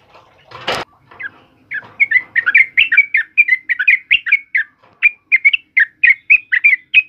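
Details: Yellow-vented bulbul song for training birds. A sharp knock opens the recording, then a rapid, continuous sequence of bouncy, slurred whistles runs for over five seconds.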